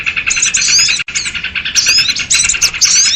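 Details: Lure call of sooty-headed bulbuls for bird trapping: rapid, scratchy chattering with bright upslurred whistles, broken by one brief silence partway through.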